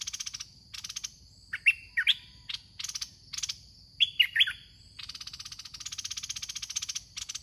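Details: Red-whiskered bulbul in a decoy trapping session with a caged lure bird: two bursts of lively whistled notes, sliding and chirpy, separated by a pause, amid persistent rattling insect pulses and a constant high ringing tone.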